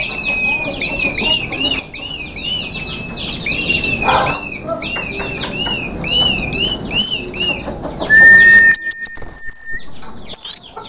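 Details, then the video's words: Orange-headed thrush after its moult, singing in the 'teler' style used to tutor young spotted birds: a run of arched, repeated whistled notes in quick series, then a long steady whistle, with clicks and other chirps around. "anis merah teler usai mabung"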